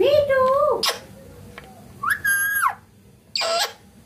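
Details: Green Indian ringneck parakeet talking: a long, steady, whistle-like vowel followed by a higher, level, tonal syllable, with breathy hissed bursts between the sounds in an otherwise quiet setting.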